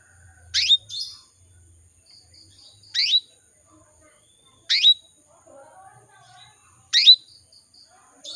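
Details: Female canary calling to males, used as a lure to get male canaries singing; short, bright downward-sweeping chirps, each a quick double note, repeated about every two seconds over near-silence, four calls in all.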